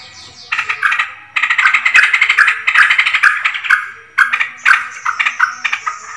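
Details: Yellow-vented bulbul call used as a lure to attract birds, dated 20 July 2024: rapid bursts of bubbly, chattering notes in several short phrases separated by brief pauses, with a few sharp clicks.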